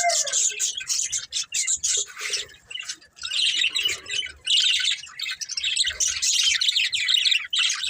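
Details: Budgerigars, a breeding pair, giving continuous scratchy high chirps and warbling chatter in bursts, with short gaps between phrases.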